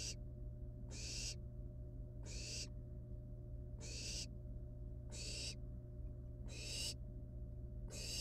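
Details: Wild barn owl chicks at the nest playing with a living rat; a steady series of hoarse, noisy hisses, about seven in eight seconds, each under half a second, over constant low hum.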